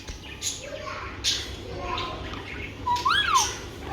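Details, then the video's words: Alexandrine parakeet, called an Alexander parrot, a pet talking parrot, with soft muttered sounds followed by a clear arched whistled squawk that rises and falls near the end. "Alexander parrot talking"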